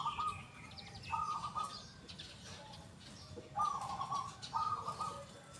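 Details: Local zebra dove in full song with a big, loud, clear 'kung' voice: purring, tremulous coo phrases near one pitch, in four bursts with quiet gaps. Faint high chirps of other birds behind.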